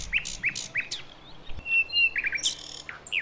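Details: Sikatan londo flycatcher, a female calling the male in wild Javan forest, used to lure young birds: sharp high chirps repeated about every third of a second, a brief steady whistle, then a quick falling trill, with low rumble.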